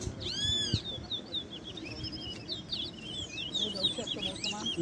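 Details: Competing towa towa birds at Ana Regina Park, Essequibo, Guyana, in 2021 open with a clear ringing whistle, then rapid chirping, warbled phrases, while a man counts the songs aloud.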